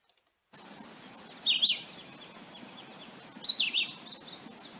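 A Philadelphia vireo sings two short, high, slurred phrases about two seconds apart, with a quiet pause between them over a faint background hiss.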